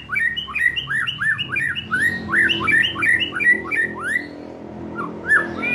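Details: Young forest-caught White-rumped shama, just past the spotted juvenile stage, used to lure birds into frequent singing: a quick run of rising, slurred whistles, each swooping upward, repeated almost three times a second, with a quiet room hum beneath.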